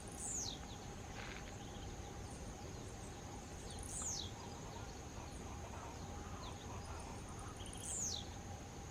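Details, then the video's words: Blue-black grassquit (tiziu) singing: a short, sharp, buzzy note that sweeps steeply downward, given three times at roughly four-second intervals, over a steady high-pitched insect drone and a faint constant low hum. "tiziu Volatinia jacarina canto"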